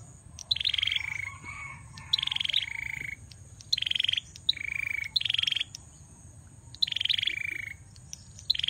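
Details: Male bar-winged prinia in full song: repeated phrases, each a fast buzzy high trill dropping into a lower drawn-out wheezy note, given about every one and a half seconds with short pauses.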